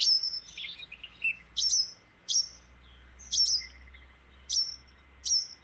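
Cape Wagtail giving high, sharp chirps in short bursts about every second, some slurred downward, with a faint steady hum beneath.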